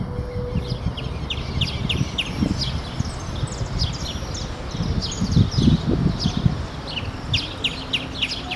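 Wing-banded hornero giving a fast run of sharp, high chips, several per second, over a steady low rumble of background noise.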